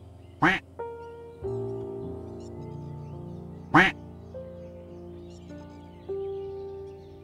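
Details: Duck giving two loud, harsh, nasal quacks about three seconds apart, each short and broadband, over soft instrumental music with long sustained tones.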